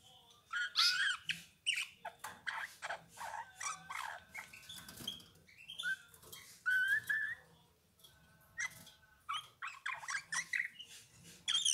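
A Eurasian bullfinch sings a quiet, halting mix of creaky notes, soft twitters and a few clear piping whistles that slide upward, in short bursts with brief pauses.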